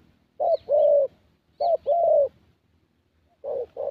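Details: Spotted Dove, young thổ bird, cooing during a decoy trapping meet in Gia Lai, Vietnam: three short-then-long coo pairs, low and mellow, evenly spaced.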